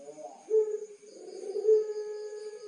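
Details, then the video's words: Caged puter pelung, a Barbary dove from Tulungagung, Indonesia, sings a brief low wavering note and then a loud, steady, long-held mellow coo. "Suara Masteran Puter Pelung Istimewa"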